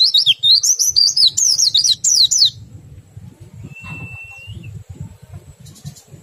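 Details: Fast, sawtoothed ngerol trill of an Oriental white-eye, sung to stimulate other white-eyes. High notes zigzag rapidly up and down for about two and a half seconds, then quiet with one thin whistle and a soft low hum.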